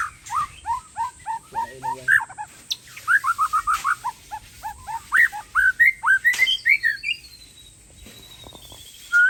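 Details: White-rumped shama, Aceh type, unloading its full repertoire of learned song fill-ins near a tennis court: rapid runs of short slurred whistled notes, steady for about six seconds, then a long wavering high whistle and quiet.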